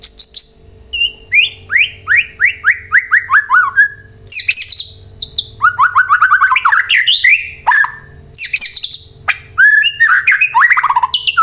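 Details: Extended white-rumped shama lure song for drawing replies from other birds: a run of about ten descending whistled slurs, then dense, varied warbling with sharp chips and rising and falling whistles.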